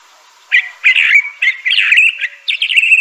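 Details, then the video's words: Crissal thrasher (Toxostoma crissale) singing a rich, continuous run of warbled and slurred notes after a brief silent start, with a sweet, rambling quality and little background sound. "Crissal Thrasher bird song."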